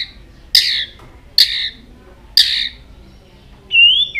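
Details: White-rumped shama, singing many varied notes and flicking its tail continuously, gives three loud harsh rasping bursts, evenly spaced, followed by a clear rising whistle.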